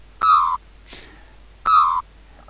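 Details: A very vocal juvenile Australian Magpie living in a backyard gives two steady, rich tones with a strange buzzy vibrato, each about a third of a second long, with a faint softer note between them.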